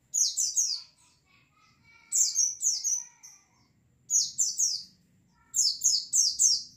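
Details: Lure recording of a white-eye flock for stimulating caged birds: repeated groups of three to four sharp, high, falling chirps roughly every two seconds, with faint lower whistles in between and a light background hum.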